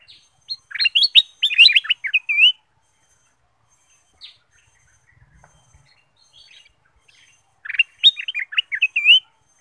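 A bulbul gives two bursts of quick, bubbly warbled chirps, about two seconds each, ending on a wavering whistle, with a quiet pause between.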